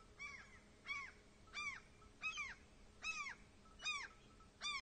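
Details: A lost baby gull in Norway calls for its mother with repeated piercing, downward-sliding cries, seven in under five seconds, evenly spaced over a faint hum.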